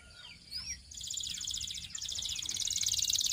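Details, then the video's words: A few faint swooping whistles, then a belgian canary's dense, buzzy high trill that grows steadily louder to the end. "Belgian Canary Tempts All Canaries to Sing!!! CANARY SINGING VIDEO"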